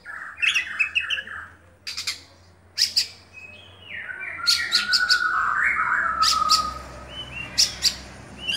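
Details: Oriental magpie-robin of the Kacer Dewa Air type, a hobby cage bird, singing 'buka-bukaan': scratchy chips, then a long sweeping warbled phrase gliding downward, ending in rapid sharp rasping notes.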